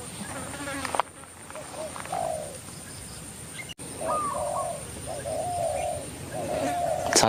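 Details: Spotted Doves, a wild bird and a decoy, cooing back and forth as the wild one comes down and a fight begins: many soft rounded coos and downslurred phrases overlapping in quick succession, with some rustling and a sharp knock at the end.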